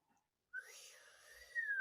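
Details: Pet ringneck (rose-ringed) talking parakeet, a talking parrot, gives one drawn-out, whistly, speech-like phrase lasting just over a second, steady then lifting at the end, over a soft breathy hiss.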